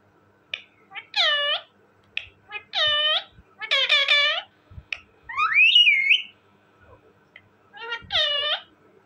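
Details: Talking parrot producing speech-like phrases: several harmonic, voice-like syllables in short bursts, one rising and falling whistled glide, separated by brief pauses in a quiet room.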